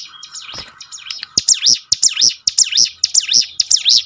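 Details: Prinia (ciblek gunung) singing, played to train birds to sing more readily: a few scratchy, uneven notes, then clear high swooping notes that fall and rise again, repeated quickly and evenly.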